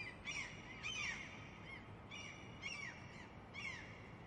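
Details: Gulls at the ocean give five harsh, nasal, downslurred cries, spaced unevenly about a second apart, over a steady wash of surf or wind.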